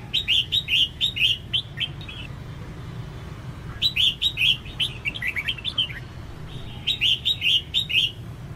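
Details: Calling female red-whiskered bulbul, used to stimulate males into singing: three bursts of quick, evenly spaced chirps, each burst about two seconds long, separated by pauses, with low steady hum behind.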